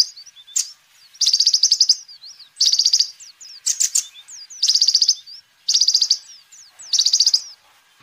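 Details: Kolibri ninja sunbird singing actively, a recording used as a lure and song tutor for other birds: high, thin trilled bursts about every 1.3 seconds, separated by short upslurred squeaky notes. No other sounds.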